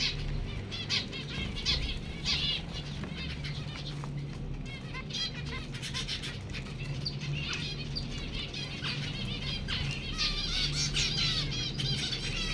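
A group of zebra finches chatters with quick nasal chirps and buzzy notes over a low steady hum.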